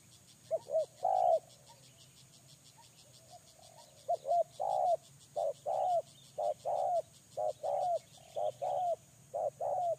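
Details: Spotted dove used as a lure bird: series of short mellow low coos, rising then falling, in groups of two and three repeated about once per second, with a steady high insect-like hiss throughout.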